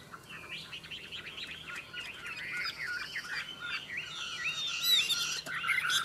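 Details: Caged Chinese hwamei in a song duel, heard somewhat distant: a continuous jumble of warbled whistles growing louder toward the end, over a light background hiss.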